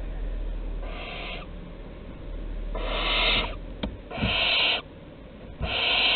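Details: Barn owl chicks begging as food arrives at the entrance, Théding, 15 August 2020: four hoarse, screechy hisses spaced irregularly, with a faint low rumble and a few soft clicks underneath.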